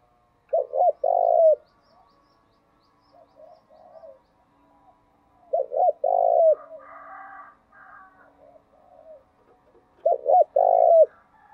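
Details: Spotted dove calling to stimulate other doves to sing: three loud cooing phrases, each a pair of short notes then a longer rolling coo, repeated about every five seconds, with softer cooing from other doves between.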